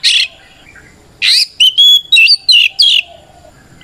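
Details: Oriental magpie-robin singing a fighting song to provoke rival birds into answering; loud bursts of harsh chirps alternating with clear, sliding whistles in quick succession, with a faint background hum.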